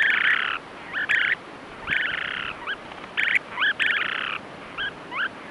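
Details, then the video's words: Nesting-season western snowy plovers, Ormond Beach, Oxnard, California, 2018, recorded by trail camera: repeated harsh buzzy churrs alternating with brief upslurred notes in quick, uneven bursts. "Snowy Plover Communication"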